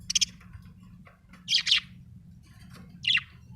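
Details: Budgerigar chirping: a fast triple chirp, then two louder harsh warbled bursts about one and a half seconds apart, with a low hum beneath.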